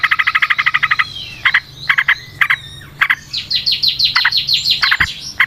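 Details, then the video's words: Sooty-headed bulbul in a long rapid volley of calls: a fast string of about a dozen harsh, buzzy notes, then short clipped bursts of clustered notes, followed by a run of higher, sweeping chirps. Quiet background. "Trucukan GACOR ngalas ROPEL PANJANG suara alam"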